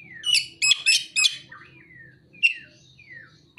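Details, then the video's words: Kacer, or Oriental magpie-robin, with prinia and sunbird imitation material: four quick rattling chirps, then long thin descending whistles and a couple of sharp single notes, over a faint low murmur. "Kacer (materi ciblek dan kolibri)"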